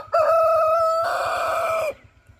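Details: Rooster crowing: a single loud, steady crow lasting almost two seconds, holding one even pitch with rich harmonics and growing harsher in its second half before it stops abruptly, followed by near silence.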